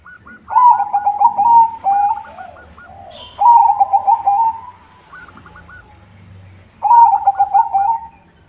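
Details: White zebra dove with a good rhythm, sung to lure other zebra doves: three loud phrases of rapid beaded cooing ending in a rolling trill, roughly every three seconds, with quieter answering coos from other doves between them.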